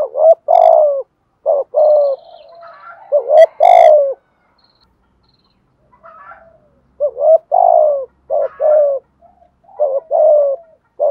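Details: Spotted dove giving standard-pattern cooing used to stimulate decoy birds: low, mellow hooted coos in short groups of two or three, separated by silent gaps of a few seconds, with faint higher rasping notes between phrases.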